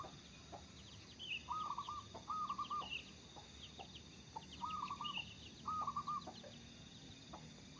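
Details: Local zebra dove in active song, kept as a lure bird, repeats pairs of fast trilled coo phrases. Frequent high tinkling chirps from other birds are heard behind it.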